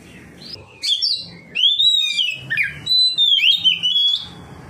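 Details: Oriental magpie-robin responding with its full song to a second magpie-robin, delivering a varied run of loud whistles: swooping rising notes, long high level tones and quick warbled turns, with faint low background murmur.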